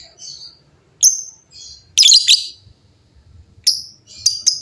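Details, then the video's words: Several lovebirds calling noisily in reply to each other: thin twitters, sharp high descending chirps, and a dense harsh chattering burst, over a faint low rumble. "LOVEBIRD GACOR GAYA MEWAH SEMUA LOVEBIRD JADI BUNYI RIBUT BERSAUTAN"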